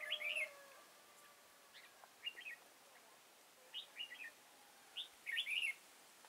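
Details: Kim Bôi, Hòa Bình, 6 April 2017: red-whiskered bulbul singing in a fighting exchange during trapping with a caged decoy. Bright warbling phrases of quick chirps recur roughly every one to two seconds, with a faint low whistle near the start.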